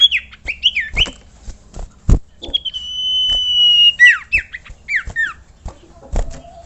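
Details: Whistling by a common iora meant to prompt other ioras to sing. It opens with short wavering whistles, then holds one long steady whistle of over a second and finishes with several down-slurred notes, broken by loud clicks.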